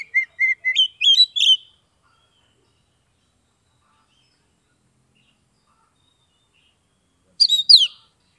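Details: Oriental magpie-robin in Kebumen, Central Java, giving 'ngeplong' song: a quick run of short whistled notes rising into a busier phrase, then over five seconds of quiet before one brief sharp phrase.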